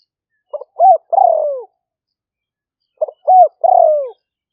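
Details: Spotted dove singing the lahw fueang lure call in rainy-season rice fields, Roi Et, Thailand, recorded on a smartphone. Each phrase is a short stutter, an arched note, then a long falling purred coo. It is repeated twice, 2.5 seconds apart.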